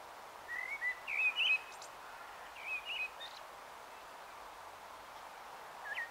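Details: Evening song of a common blackbird at dusk, Taunton, Somerset, 21 March 2018; two brief warbled phrases of fluty notes separated by pauses, then a faint final note, with steady background hiss.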